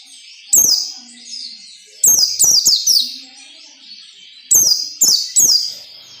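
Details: White-eye singing the ngalas nembak style, a standard recording used to train captive white-eyes: three bursts of sharp, high, downward-sweeping whistled notes, single then doubled and tripled, separated by quiet pauses.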